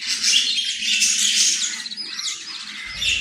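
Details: Australian parrot warbling in a dense, continuous, high-pitched babble of chirps. It eases slightly before a louder scratchy note at the close.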